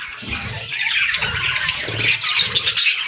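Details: Several parakeets chatter together in summer, a continuous buzzy warble of rapid, overlapping chirps with brief bright whistles, plus low rustling underneath.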